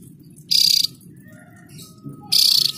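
Javan grey-throated white-eye giving two brief, very high, buzzy bursts with a thin whistle running through each, nearly two seconds apart, over a faint low hum.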